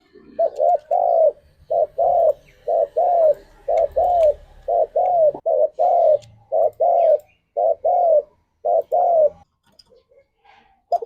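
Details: Spotted dove song used to encourage pet doves to sing, a long run of mellow hooted coos near one pitch, arched notes grouped in short phrases roughly once a second, with brief pauses and faint clicks.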